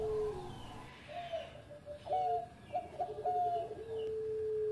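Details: Zebra dove of the Bangkok type singing for training: a few wavering coos and short notes ending in a long, level, sustained coo, over low hum and hiss.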